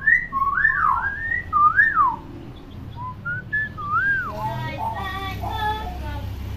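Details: Tame common hill myna kept as a pet and mimicking many sounds: a run of looping whistles, short stepped notes and a swoop, then a voice-like warble with harmonics near the end.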